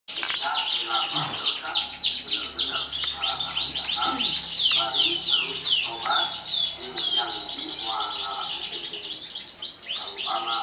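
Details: Champion competition canary from 2014 singing: rapid runs of high, down-slurred notes repeated in quick series, with steady trills and a lower warbling layer beneath, and faint low voices in the background.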